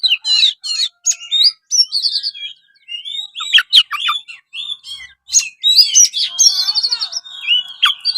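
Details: Oriental magpie-robin song, a continuous varied stream of clear whistles, sweeping slurs, short trills and buzzy rattles at high pitch, phrases changing every second or so, with no other noticeable sounds.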